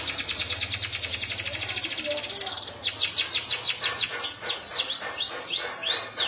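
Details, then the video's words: Local canary singing vigorously: a long, rapid, even high trill, then brighter, louder notes repeated in quick succession, ending in swooping chirps, with a low background hum. "suara burung KENARI lokal gacor"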